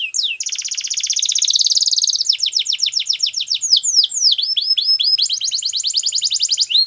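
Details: Belgian canary singing a high, fast song: a rapid buzzy roll, then a run of quick downward-sweeping notes, another brief roll and a bright rattling trill, all continuous with no other sounds.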